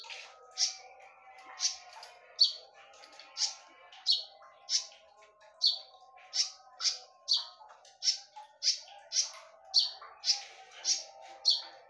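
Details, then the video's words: Ringing 'tembakan' song from a konin, played as a lure: a long chain of crisp, high-pitched notes, speeding up toward the end, with some faint tonal sounds behind. "KONIN GACOR FULL TEMBAKAN / SUARA TAJAM DAN NYARING / BERANI DENGARKAN SUARA PANCINGAN KONIN INI??"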